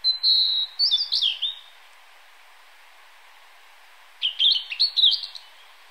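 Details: Male Cyanoptila cyanomelana cyanomelana singing atop a cedar tree, 24 May 2014: a sustained whistle leading into tumbling descending notes, silence of over two seconds, then a rapid jumbled phrase of high warbled notes; soft stream sound behind.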